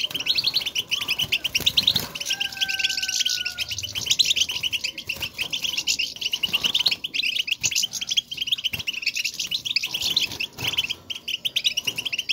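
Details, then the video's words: Several European goldfinches chattering to one another to announce their presence, known locally as 'bitbita': rapid bright twittering notes fill the whole stretch, with a clear descending whistle early on. "بتبتة وستستة, لمساعدة الحسون على التغريد"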